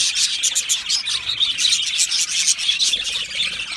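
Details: Many Australian budgerigars in an aviary colony chirp and sing at once, making a thick mesh of quick, high warbles and tweets that rise and fall without a break.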